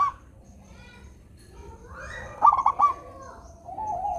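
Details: Local zebra dove song meant to get lazy doves singing: quiet stretch, a rising coo into a short bubbling burst of clipped notes, then a level sustained coo.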